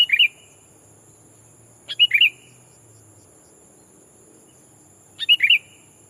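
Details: Lure sooty-headed bulbul calling out a rival to attract wild birds; brief gurgling three-note phrases with a falling slur, given roughly every two to three seconds, with a thin constant electronic whine behind.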